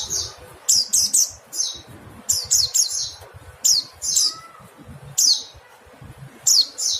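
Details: Mountain white-eye giving piercing, high, falling call notes in irregular groups of one to three, with quiet gaps between bursts; a songbird tutoring recording with light background noise.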